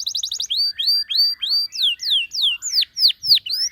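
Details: Canary song used to prompt other canaries to sing, opening with a quick high trill, followed by a steady run of rising and falling whistled slurs repeated about three times a second.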